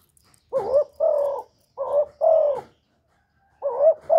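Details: Cà Mau spotted dove, recorded for luring wild doves with decoys: a steady run of low double coos, each pair a shorter note then a longer one, repeated about every one and a half seconds.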